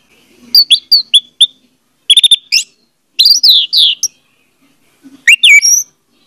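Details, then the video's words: Orange-headed thrush song used as a lure to make a silent bird sing: quick chirps, then a fast trill-like group, sweeping slurred whistles, and a final rising whistled phrase. "audio suara anis merah || pancingan ampuh untuk ania merah membisu"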